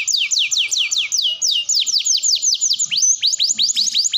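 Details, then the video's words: A canary's extended song, used as a lure for canaries learning to sing. It runs as a chain of quick, high, descending whistled sweeps, shifting midway to rising notes, with a faint low chirping beneath. "Kenari Gacor Panjang || Cocok Untuk Pancingan Kenari Belajar Bunyi"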